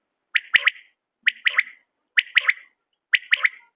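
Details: Common quail giving sharp triple-note calls, a clipped first note followed by two quick buzzy notes, in four evenly spaced phrases with no other sounds.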